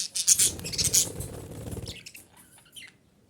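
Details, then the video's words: Female budgerigar calls used to bring budgies into breeding condition: harsh, high chirps come in quick bursts during the first two seconds over a low hum, then fade to a few faint, scattered chirps. "DİŞİ Muhabbet Kuşu Sesi - Muhabbet Kuşu Kızıştırma"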